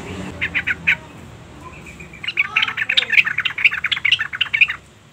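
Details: Female sooty-headed bulbul calling to provoke a male: a few harsh notes, then a longer, irregular jumble of scratchy chattering notes at varying pitch.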